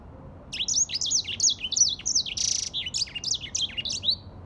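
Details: Grey singing finch warbling a fast, sweet phrase of slurred high notes, with a brief hiss partway through.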